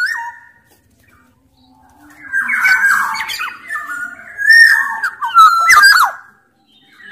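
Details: Black-naped oriole from Sumbawa singing hard, used as a lure for orioles reluctant to call. After a quiet start, a dense run of buzzy, squawking notes mixes with fluted whistles, ending in a sharp harsh burst.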